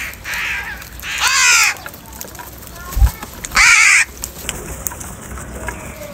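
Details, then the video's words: Morning crows fighting for food: three harsh caws, the last loud, with a low thump at three seconds and a faint steady high tone near the end. "Crow bird live crowing sounds - Crow bird Fight for Food | Crow Foods Time In Morning & voices"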